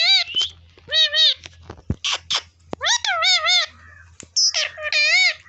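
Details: Village Indian ringneck parrot speaking, said to repeat "mittu mittu": a rapid series of nasal, wavering speech-like syllables in short bursts with brief pauses, some rising and some with a shaky vibrato, plus a few clicks.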